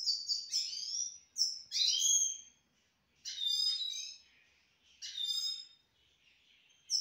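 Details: Pet grey-headed goldfinch in Istaravshan delivering loud twittering bursts with sliding, buzzy high notes, separated by brief pauses of about a second.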